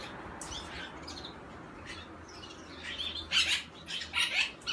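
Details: Young barn owl, 5 August 2017. Faint scratchy noises give way after three seconds to loud, rough hissing bursts, roughly four in quick irregular succession.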